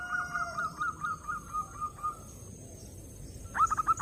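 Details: Zebra dove song meant to draw in other doves: a quieter series of quick, evenly repeated coos fades out, a brief pause follows, then a loud rolling trill of coos closes.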